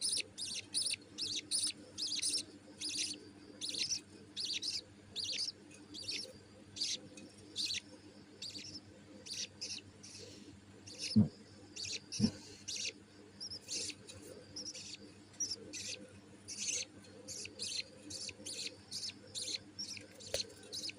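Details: A budgerigar chick gives rapid, raspy, high chirps, begging nonstop as its mother feeds it.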